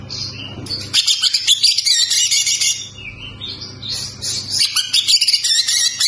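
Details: Kacer, the white-rumped shama, pouring out fast high chattering and whistled phrases in two long bursts with a brief quieter gap between them.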